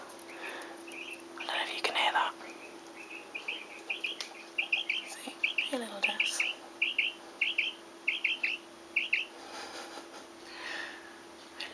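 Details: One of three pet common quails free-running in a kitchen gives soft, high 'clocky' chirps, about twice a second for several seconds, described as growling at its owner, with a woman speaking quietly before and after.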